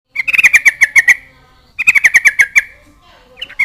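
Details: A Yellow-vented Bulbul (trucukan) sings vigorously, taunting a rival so that other bulbuls answer: two bursts of bright, bubbly chirps, each rapidly repeated about eight times, separated by a short pause.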